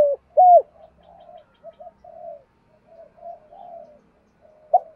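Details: Decoy spotted dove calling to lure wild doves in the thúc gù style. Two loud, low, hooting coos open and close the stretch, with soft murmured cooing between them.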